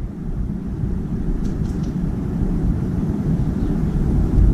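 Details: Steady low rumble of a vehicle or aircraft fills the recording, with outdoor background noise and no clear animal voice.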